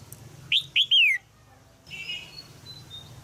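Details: In Thailand, a caged female red-whiskered bulbul calls to encourage a young male to sing. Three loud whistled notes, the last a long falling slur, are followed by a softer, scratchy chatter.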